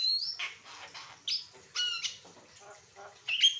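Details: Asian pied starling song used as a tutor recording for other birds: a clear whistled note opens, followed by rough churrs, a ringing tonal phrase and a final sharp whistle.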